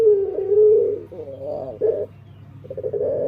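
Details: Dove singing with an unusual voice, described as very different from other doves; loud hollow coos that waver and pulse, fading to softer rolling notes near the end.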